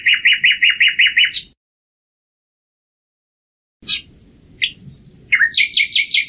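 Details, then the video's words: Common nightingale song: a rapid run of about eight identical sharp notes, a two-second silence, then a new phrase of varied high chirps, short whistles and a fast final burst of notes. "Canto del ruiseñor común"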